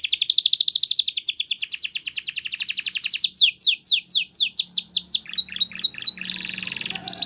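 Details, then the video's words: Canary song used to train young canaries opens with a fast buzzy trill. Slower falling whistled notes and down-slurs follow, and it ends with a rolling trill. "Canary Training Song"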